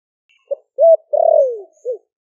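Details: Four-month caged wild-caught spotted dove, Ninh Thuận, Vietnam, with a heavy 'thổ sấm' voice, calling doves in; one four-part phrase: clipped opening, rounded coo, long sliding-down coo, small final coo, otherwise quiet.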